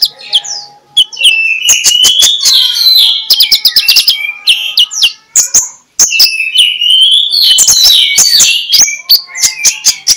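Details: Magpie-robin in ngeplong song, a morning lure to rouse quiet magpie-robins: bursts of rapid clicks alternate with rich whistled phrases and trills, with a brief pause in the middle before the song resumes.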